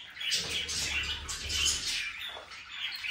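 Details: Budgerigars chattering continuously, a dense mix of warbled chirps and squeaks around the upper range, overlapping calls from several birds with a faint low hum beneath.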